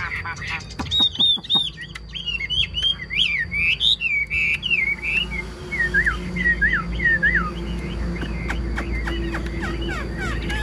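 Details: Captive Chinese hwamei in full song: a quick series of clear, wavering whistles, each phrase bending up then down, later slowing into looser curling notes, with a low rumbling background.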